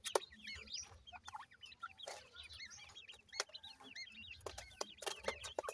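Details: Playing partridge chicks peep continuously with quick, rising-then-falling chirps in dense overlapping runs, punctuated by frequent sharp clicks and taps.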